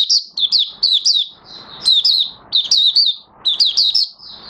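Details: Oriental white-eye, locally Mata Puteh Raja, beginning to sing, recorded 30 August 2022 with new white feathers nearly fully coloured; quick clusters of bright, downslurred high chirps delivered in short bursts with gaps between.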